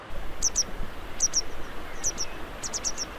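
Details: A grey wagtail by the River Don near Sheffield gives sharp, high, metallic 'zit-zit' calls in quick pairs and a final run of four, about every second, over a low river rumble.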